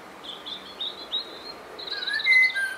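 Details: A common blackbird in Great Torrington, Devon, sings a run of thin, high whistled notes, then a louder burst of lower, fluty warbling at the end.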